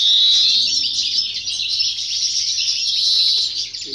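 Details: European goldfinch, a first-year (novella) bird, in action at a 2018–2019 singing competition: dense, fast, tinkling twitters and trills running without pause, with a faint low hum.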